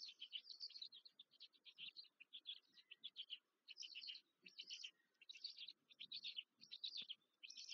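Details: Feeding time for black stork chicks at a nest in Łódź, Poland, mid-May 2023: loud bursts of hoarse, high squeaking in groups, several short pauses, a few faint knocks below.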